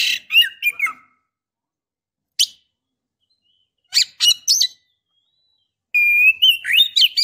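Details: Female Oriental magpie-robin calling the male to provoke fighting, singing, or mating: bursts of harsh chips, a lone chip, a quick chattering cluster, then sweet whistles rising and falling with scratchy notes.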